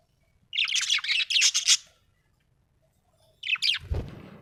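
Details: Happy pet budgerigar chattering in a dense stream of high, scratchy warbled chirps for over a second, a pause, then a shorter burst of chirps ending in a low thud.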